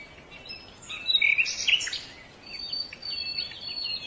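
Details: A Silver-breasted Broadbill (Serilophus lunatus), an Asian bird of the middle layers of foothill and montane forest, often in groups of its own species, gives high, thin squeaky notes and short chittering phrases over a steady high insect-like hiss.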